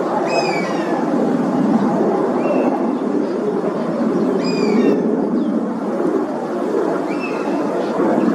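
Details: Oriental honey buzzard perched in Singapore, where it is a wintering migrant. It calls repeatedly in protest as a flock of Oriental pied hornbills invades its roosting place. A circling companion is also heard. Four thin, whistled calls with overtones sound about every two seconds over a steady low rumble.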